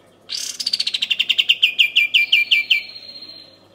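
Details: Kapas tembak training song: a high opening sweep leads into a quick, even run of about twenty clipped notes, gently descending and slowing, ending on a faint sustained tone in a quiet setting.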